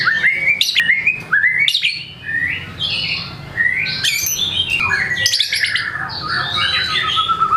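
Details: Caged White-rumped shama in full song, showing off a varied repertoire: rising whistles and slurred notes jumping between pitches, mixed with sharp chips, over a steady low background hum.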